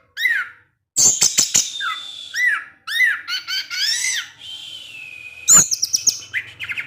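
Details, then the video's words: Captive orange-headed thrush singing in the ngecip ngecis teler style: loud, upslurred whistled arcs near the middle register, interspersed with sharp high chips and short clicky bursts, then a long thin sustained tone and a final rapid chatter. "ANIS MERAH SUSAH BUNYI PASTI NGEPLONG DENGAR SUARA NGECIP NGECIS TELER INI"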